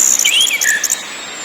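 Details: {'text': 'Brief orange-headed thrush phrase from a ngakrak, ngeplong and nyiul lure track: tangled high whistles sliding down and across, loud and clear, fading into hiss within a second.'}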